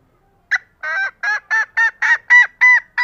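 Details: A chatty female green junglefowl, used to lure males, gives one sharp note and then a rapid run of about eight loud, nasal, honking calls, roughly three per second.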